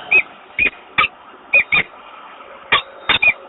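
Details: In Włocławek, Poland, on 28 February 2022, a male peregrine falcon calls at the nest to invite the female, who refuses. Scattered squeaky chips, a few doubled, with a brief pause midway.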